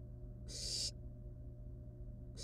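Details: Wild barn owl nestlings at the nest with a live rat; one loud harsh hiss of about 0.4 seconds followed by the start of another near the end, over a steady low hum.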